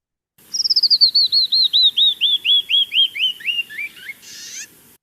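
Canyon Wren song: a cascade of about twenty clear whistled notes, dropping steadily in pitch and slowing down, ending with a short raspy buzz.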